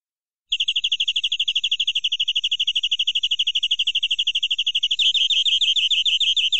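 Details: Local forest canary in full-fill master song with ornate phrasing: a very fast buzzy trill of about ten notes per second runs for over four seconds, then shifts into slower, louder slurred notes.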